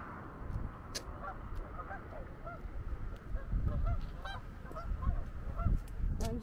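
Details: Many geese honk in a loose, overlapping chorus of short nasal notes, several each second, over a heavy low roar of strong wind, recorded 18 January 2022.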